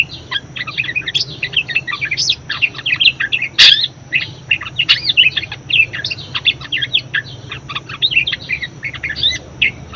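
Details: Budgerigar warbling, for prompting and teaching other birds: a long, dense stream of squeaky chirps and twittering notes with a loud click near the middle and a steady low hum beneath.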